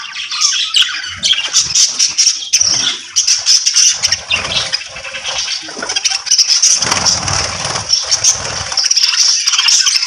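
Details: A colony of Australian budgerigars, kept together for colony breeding in a cage or aviary, keeps up a dense, high chatter of warbles, chirps and scratchy squawks.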